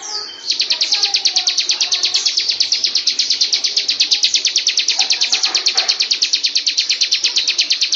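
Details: Bar-winged prinia song used as a master song for training birds, a long unbroken run of rapid high buzzy notes, about seven per second, after a brief opening whistle.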